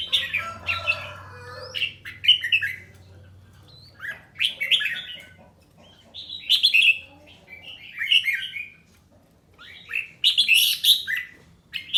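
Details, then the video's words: Caged red-whiskered bulbul in song training, delivering short warbled phrases of bright whistled notes in bursts every couple of seconds, with a faint low hum underneath. "Luyện giọng chào mào ché"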